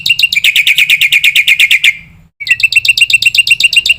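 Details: Black-winged myna training song, packed with fill-in phrases, meant to set other starlings singing: fast, evenly repeated sharp chattering notes for two seconds, a brief gap, then the rapid chatter resumes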